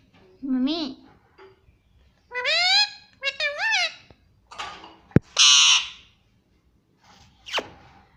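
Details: Indian ringneck parrot, a rose-ringed parakeet, talking indoors in a small room and repeating "mommy"; bursts of harmonic, squawky speech-like phrases with rising and falling pitch, separated by short pauses, plus one sharp click.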